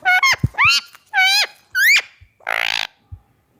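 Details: Indian ringneck parakeet kept as a talking pet, natural voice: a handful of loud, ringing, upward-curving squawks in quick succession, ending in one rough, buzzy screech, in a quiet room.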